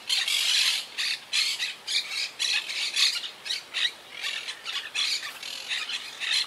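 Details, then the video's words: Quaker parakeet colony in the wild, high in trees, regrouping after hurricane Irma in 2017; loud harsh squawks repeated in rapid bursts about twice a second, several birds calling over one another. "Yacht Club Colony Retrospective🌴 Clips and Sounds 🦜"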